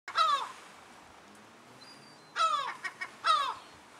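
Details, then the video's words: European herring gull pair with their chick at Alkmaar, the Netherlands, 17 July 2011: three harsh, downward-sliding nasal calls, one near the start and two close together after a pause, with faint background hiss. "herring gulls with chick"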